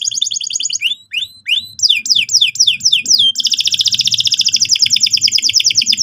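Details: Singing canary meant to prompt another bird to sing: buzzy notes, a few upswept whistles, descending slurred phrases, then an extended fast rolling trill repeated several times a second.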